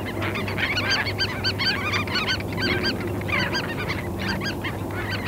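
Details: Sandspit terns at Murrell's Inlet, South Carolina, recorded 8 April 2017 with a parabolic microphone: clusters of harsh, down-curved call notes in irregular bursts from several birds, over a low background rumble.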